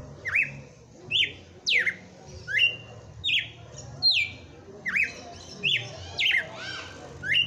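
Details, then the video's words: Red-cowled cardinal, a breeder's caged bird in Brazil, in full song on Christmas Day: rapid sequence of bright whistled slurs, rising and falling notes with some harsher squawky ones, roughly ten phrases in seven seconds. "Galo de campina FENRIR cantando e batendo fogo"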